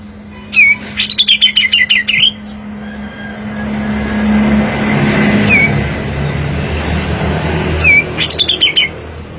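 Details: Kapas tembak delivering tight 'tembakan' shots for use as master song and lure: a rapid burst of high sharp notes, a long pause with faint slurred whistles and a low hum, then a second short burst.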